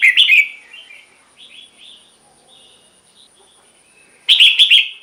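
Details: Caged red-whiskered bulbul song for rousing other caged birds: a short loud warble opens, soft whistled notes follow, and another bright warbled burst closes.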